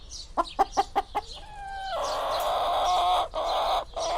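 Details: Chicken clucking five times in quick succession, then a loud, drawn-out, rising call held for about two seconds.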